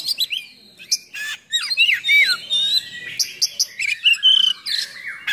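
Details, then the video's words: Song of an oriental magpie-robin, played to provoke and tutor other birds of its kind: clear sliding whistles mixed with sharp, scratchy chips, some notes swooping down, others held steady and high, in a lively, irregular delivery. "Kacer Gacor Full Nembak Isian Kasar Bikin Emosi Kacer mu"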